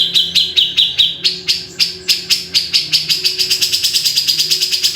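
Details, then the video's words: Grey-cheeked bulbul (cucak jenggot) delivering a series of sharp, buzzy chip notes that start spaced and slightly lower, then climb in pitch and quicken into a fast, steady rattle by the end. "BURUNG CUCAK JENGGOT"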